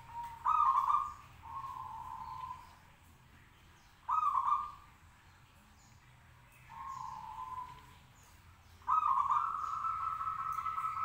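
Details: Zebra dove of a local type singing to prompt other doves to reply: loud staccato cooing bursts, each followed by a softer drawn-out purr, repeated roughly every four seconds.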